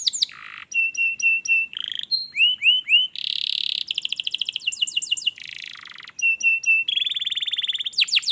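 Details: Varied canary song for prompting a reluctant canary to sing: quick alternating phrases of level whistled trills, upswept notes, buzzy rolls and rapid rattles, changing every second or so.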